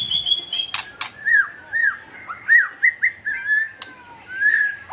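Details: Energetic (gacor) White-rumped shama song: a high thin whistle, then a string of short, clear whistled notes that dip and rise, with loud sharp clicks between them.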